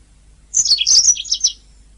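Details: Short burst of canary song from a master recording used to train songbirds: about one second of dense, high, rapidly warbled notes.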